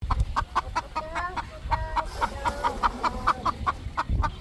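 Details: Three roosters resting on a poultry farm at evening sunset, giving a steady series of short, low clucks roughly four per second, with some soft drawn-out notes between them, over a dull low rumble.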